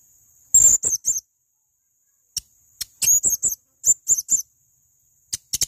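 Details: Male blue-crowned hanging parrot: groups of three or four thin, very high chirps separated by scattered single ticks and short silences.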